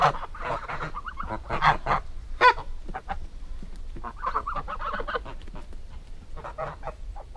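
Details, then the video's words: Goose calls come as scattered nasal honks, some short and clipped, some drawn out, in loose irregular bursts with quieter gaps between them. "Gans geräusch / Gans geluid / Bruit oie / Gänse geräusche"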